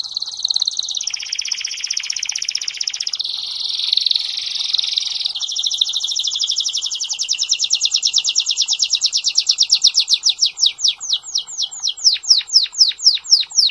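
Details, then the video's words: A canary, recorded as a training bird, sings in high, rapid tours: a dense buzzy trill gives way to a rolling series that slows into distinct descending chips, each tour a few seconds long. "Canary singing"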